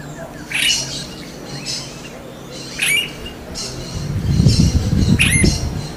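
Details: Smooth-billed ani calling in the wild: three sharp, high, rising squeaky calls spaced about two seconds apart, with a few fainter notes between them and low rumbling noise building toward the end.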